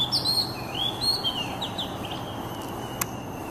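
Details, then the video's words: Oriental magpie-robin song, played as therapy for stressed caged birds: clear whistled phrases sliding up and down, some downward-curving notes, packed into the first two seconds over a steady low background hum. "TERAPI SUARA BURUNG KACER YANG STRES"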